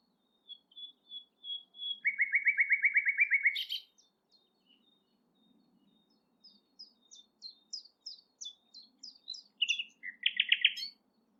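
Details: Common Nightingale singing at Thurrock Thameside Nature Park, partly hidden in cover: a run of pure whistled notes, then a fast buzzy rattle, thin ticking phrases and a second quick trill near the end.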